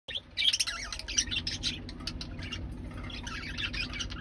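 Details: A pair of red-eyed budgerigars mating gives a fast, scratchy warble of mixed chirps and squeaks.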